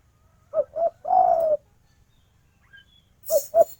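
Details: A female spotted dove calls to a male: two quick low coos and a longer descending croon, then the next phrase begins with two more short coos.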